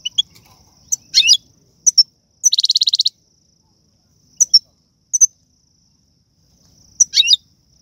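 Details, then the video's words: Algerian goldfinch singing tiwawati, galoubi, serfati and mandolin phrases: sharp high tinkling notes in short bursts and a rapid, even buzzy trill of about a dozen pulses, with silent gaps between phrases. "من اقوى اغاني طائر الحسون, تيواواطي قالوبي النادرة + سرفاتي"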